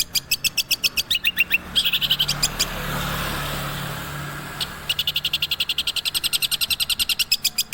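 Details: Long-tailed shrike in captivity delivering fast, evenly spaced high ticking notes in long runs, interrupted midway by a burst of broad rushing noise before the rapid series resumes.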